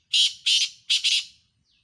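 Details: Black francolin, one of two birds in a calling competition, dated 7 October 2022: four harsh, grating, buzzy bursts in quick succession, the last two joined as a rapid double note, with nothing else audible.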